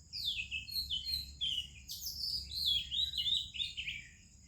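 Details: Oriental magpie-robin in morning song with other birds nearby: continuous, fast-changing, high whistled phrases, downslurred and warbling, following one another with little pause, against faint low background noise.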